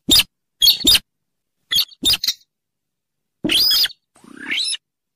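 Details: Rail lure for catching birds: paired sharp ticks, then a harsh squealing note and a grating, buzzy rising call at the end.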